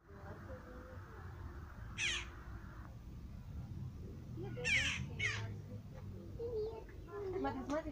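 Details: A jackdaw fledgling that has left the nest but cannot yet fly, fed and guarded by its parents, gives three harsh, raspy, scratchy begging calls a few seconds apart over a low hum and a person speaking.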